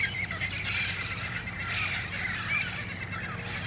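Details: Wild red-crowned amazons gather at dusk in El Cajon on August 1, 2018, before heading to nearby roost trees, squawking and screeching harshly in a raucous chorus of many overlapping voices over a low steady hum.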